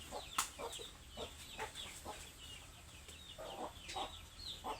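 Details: Hungry chickens: a steady run of high, falling peeps with short broadband clucks and knocks in between, a busy, overlapping chorus.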